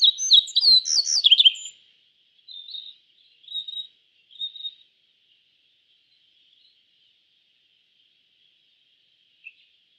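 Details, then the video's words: Yellow bunting from East Asia opening with a fast burst of loud high chirps, then three short quieter phrases about a second apart, followed by near silence with a faint high hiss. "Suara Burung YELLOW BUNTING - YELLOW BUNTING Bird Sound"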